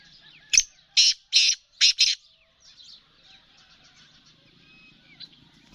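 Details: Female black francolin calling with five loud, scratchy bursts in a fast uneven rhythm, then fading to faint bird twitters and low hum.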